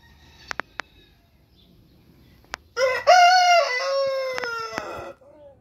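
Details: An Orpington or Marans rooster gives a full crow after a few sharp knocks. The call opens with a short rising note, then a long, loud, buzzy tone held steady that slides slightly downward before fading.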